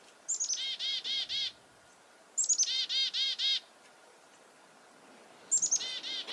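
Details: Repeated chickadee alarm calls about a goshawk nearby, February 2021 at Reedfly Farm; three chick-a-dee calls roughly two to three seconds apart, each of falling high chips and four or five loud buzzy dees.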